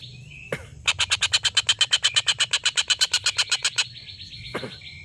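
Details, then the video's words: Long cackling call of a collared kingfisher, recorded as tutor material for competition white-rumped shamas: a brief whistle, then some twenty-five fast, harsh notes in a steady stream, followed by a sharp single note and a thin whistle. "tengkek buto ngekek panjang"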